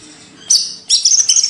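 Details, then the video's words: Greater green leafbird of Banyuwangi origin, Indonesia, giving two short, very high, sharp, twittering bursts of song in quick succession. "Cucak ijo | Hyper Ori Banyuwangi"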